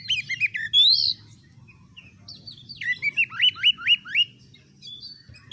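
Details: A caged oriental magpie-robin sings for training other birds: opening chirps and a bright rising whistle, a short pause, then a run of six quick downslurred whistles, over a low steady hum.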